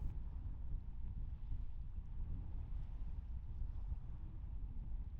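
Low, rumbling wind and engine noise from a boat or vehicle fills the recording, with no animal calls.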